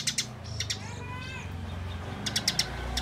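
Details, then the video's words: Eurasian tree sparrow fighting chatter, a dense, fast string of calls. Short, sharp, high chirps come in quick clusters near the start and again toward the end, over steady low background rumble. "Masteran Gereja Tarung Nyerecet Speed Rapat Yang Paling Dicari"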